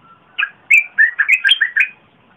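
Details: Red-whiskered bulbul song used as a lure for wild birds and a model for young birds, recorded 30 April 2021: a clear phrase of seven or eight fluty, bouncing whistled notes.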